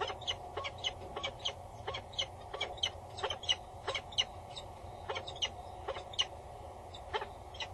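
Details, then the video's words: Peregrine falcon female, loud and bowing above the nest box on Axel Tower, Netherlands, male nearby, 22 August 2019 at 10:55; steady run of sharp, grating notes about every half second, with low hum underneath. "Female above the booth. Male is nearby. She is loud and bows"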